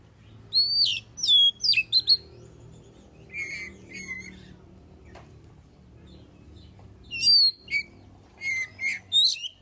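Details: Oriental magpie-robin (kacer) song used as a lure for other birds: intermittent bursts of high whistled and chattering phrases separated by long quieter stretches of low hum and faint rustling.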